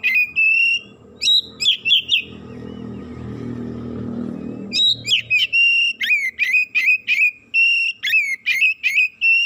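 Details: Excited Oriental magpie-robin (kacer) working itself up within seconds and pouring out its isian fill-in phrases: bright high whistled notes and sharp chirps in quick bursts, a pause with a low rumbling hum, then fast repeated whistles resuming.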